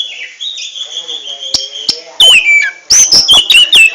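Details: Caged oriental magpie-robin singing ngentrok style: a long steady thin whistle, then a sudden loud run of twisting whistled phrases and rapid choppy notes.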